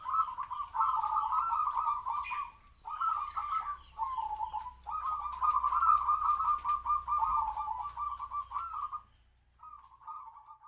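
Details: Decoy zebra dove of local stock with a kwor kwor voice, caged near other doves to sing when wild ones come; almost unbroken rolling, burry cooing for about nine seconds before a short final phrase.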